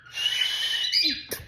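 A cockatiel gives a harsh, raspy screech lasting nearly a second, then a brief high chirp and a short burst.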